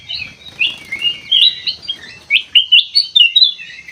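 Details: Sooty-headed bulbul sound used as a lure to get a response; rapid series of bright, sliding whistled notes, the second half more clipped and rhythmic, over faint low background noise.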